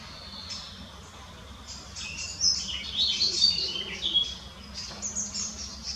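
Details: European greenfinch foraging in Munich Botanical Garden, giving a loose run of high twittering chirps and short trills in irregular bursts over a faint low hum.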